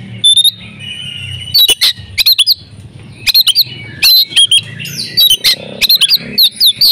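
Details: Female oriental magpie-robin in breeding condition, a lure to get males singing: a clear whistle, a drawn-out buzzy note, then clusters of sharp clicks and quick upslurred and downslurred whistles, with a faint low hum underneath.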